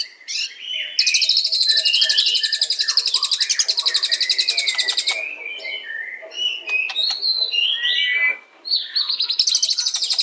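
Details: Murai batu, the white-rumped shama, delivers a long fast rattling trill, then breaks into varied slurred whistles, sharp chips and scratchy notes before the high trill resumes at the end.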